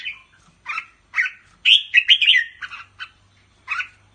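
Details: Pa La-U line red-whiskered bulbul from Thailand, kept in a cage, singing in rik style: brief chirps, then a rich rolling whistled phrase, then scattered sharp notes with a faint low hum behind.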